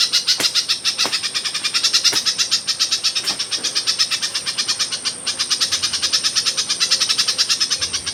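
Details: Myzomela, raw observation recording from 12/25/22: a fast, continuous string of piercing high chips, roughly eight to nine per second, pausing briefly once before resuming, with scattered soft clicks and a steady high-pitched hum behind.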